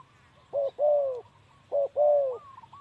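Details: Male spotted dove cooing, in a Thai setting: two paired low hooting phrases, each a short coo followed by a longer wavering coo, repeated about a second apart, with a faint higher whistle at the end.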